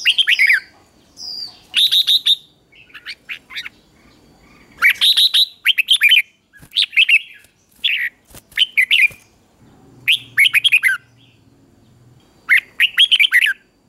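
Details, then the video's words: Morning song of a red-whiskered bulbul being trained to sing: repeated clusters of rich, rolling whistled phrases separated by short gaps, a faint low mechanical hum in between. "Luyện chào mào hót sáng"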